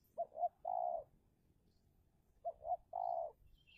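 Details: A decoy spotted dove calls to lure a wild dove. Two phrases, each two short rising notes then a long smooth coo, are separated by a quiet gap.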